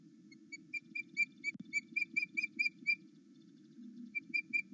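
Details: Osprey calling with excitement at its mate's return to a nest at Loch Arkaig, captured on a live cam between eight and nine in the morning. It gives a fast series of clear whistled pips, a brief pause, then more pips, over low hum.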